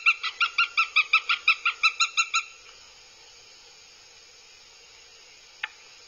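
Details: Nest camera in Abernethy, Scotland, July 2022, catches aggressive Northern goshawk chicks: a brisk, regular string of about fourteen shrill nasal yelps over two seconds, then quiet with one faint click.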